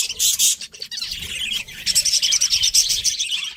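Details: Breeding pair of pet budgies giving steady high chirping and warbling chatter, dense and scratchy, running almost without a break, with soft low background rumble.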